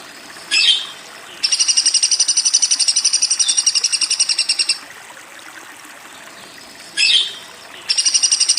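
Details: A woodpecker makes two long high-pitched rattles of rapid, regular buzzy notes. Each rattle comes just after a short, harsh, sweeping squawk, and quiet gaps separate them.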